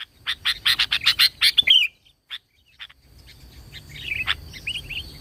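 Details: Sooty-headed bulbul singing as a lure for wild bulbuls: a quick burst of sharp ticks ending in a slurred whistle, then quieter scattered whistled notes over a hissing background.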